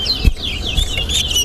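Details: Towa-towa (large-billed seed finch) whistling in a competition at Alligator Pond, east side against west side: sweeping high whistled notes, fluid and slurred, delivered rapidly amid light crowd noise and occasional knocks.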